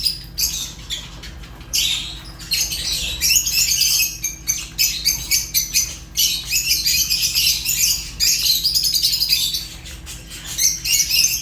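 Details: Rapid shrill chatter from Fischer's lovebird, about four scratchy high chirps a second running in long bouts separated by brief lulls.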